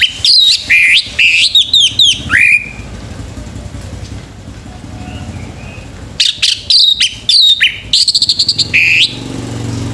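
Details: Morning song of a male orange-headed thrush, played to stimulate caged birds: fast runs of high, clear sweeping whistles in two long bursts separated by a quiet stretch, with faint traffic rumble underneath.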